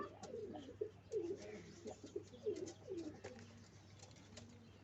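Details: Pigeons cooing while nest making: a series of low, rolling, wavering coos in quick succession, fading toward the end, with faint high chirps and light tapping behind.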